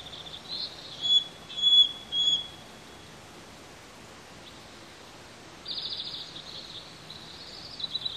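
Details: A pair of bald eagle eaglets on a nest on a hot day: three loud, sharp, separate high notes about half a second apart, a pause, then a dense burst of quick thin peeps trailing off.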